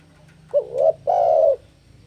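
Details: Spotted dove, played to lure and train doves to sing, giving two low hollow coos, a shorter wavering note then a longer steady one, in quiet surroundings.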